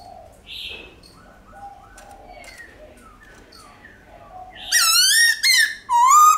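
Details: Forest-style song of a Black-throated laughingthrush, played to stir kept birds to sing: quiet faint sounds at first, then a sudden burst of loud, ringing whistled slurs near the end.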